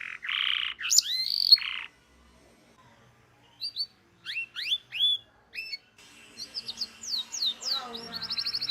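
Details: Local canary ngerol training song, fairly quiet: harsh buzzy notes, a pause, scattered sharp upslurred chips, then faster whistled phrases over faint background noise.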